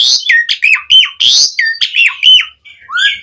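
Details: Asian pied starling singing energetically as tutoring material for other starlings: loud harsh rasps alternating with sliding whistled notes, ending in a short pause and a rising squeaky note.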